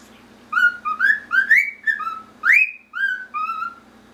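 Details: Male normal grey pet cockatiel whistling Pop Goes the Weasel to another male cockatiel: a clear, musical run of short rising and falling whistled notes, about eight phrases with brief pauses, over a steady low hum.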